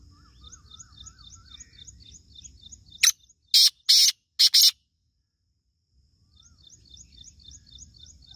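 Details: Black francolin, a Sindhi bird, giving a loud harsh call of four grating, rasping bursts in quick sequence, framed by a steady high ticking of insects and faint rural background.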